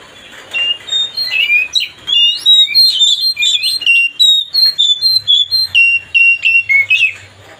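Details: White-rumped shama, a kacer, singing to provoke another bird into an aggressive response: a rapid, varied string of loud whistled and slurred notes, about four per second, with a faint low hum beneath.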